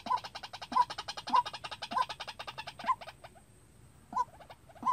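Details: White-breasted waterhen decoy used for trapping repeats short, punchy notes amid dense rapid clicking chatter, then pauses briefly before resuming; a low hum runs underneath.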